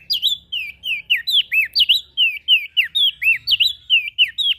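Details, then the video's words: Energetic ashy prinia calls, used to lure small birds: quick, steady sequence of bright swooping chirps alternating with falling V-shaped notes, about four per second, throughout the stretch. "Suara Burung Prenjak Daun Gacor Ngepoling PAs Buat Pancingan Burung Kecil"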